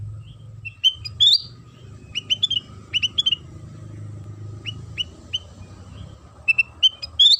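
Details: Sooty-headed bulbul song played as a lure to make other bulbuls start singing: short bright whistled notes in quick clusters of two to four, rising and falling, in bursts across the recording, over a steady low hum and a faint constant tone.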